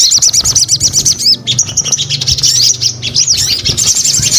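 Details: High, quick looping chirps from a sogon repeated in a steady rhythm, a brief pause, then a denser rattling stream of thin notes; a faint low hum underneath.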